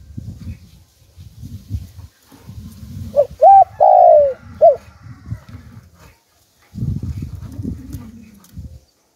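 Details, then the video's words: Spotted dove in the Hạp Bổi calling style for luring wild doves: a single clear phrase of clipped and drawn-out falling coos midway, over steady low rumbling background noise. "Chim Cu Gáy Giọng Hạp Bổi"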